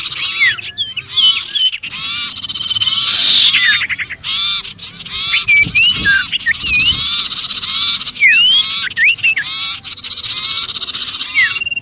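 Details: Agitated sirpu distress calling, as if caught, for luring other birds: rapid, irregular chatter of short rising and falling whistles, harsh buzzy bursts and brief gaps.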